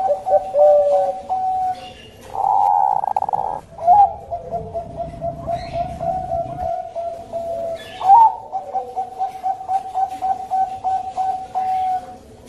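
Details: A Bangkok-type zebra dove (perkutut) sings soft, rolling coos, a steady run of quick staccato notes with a few louder rising accents, used as a lure call; a brief burst of harsher noise breaks in early.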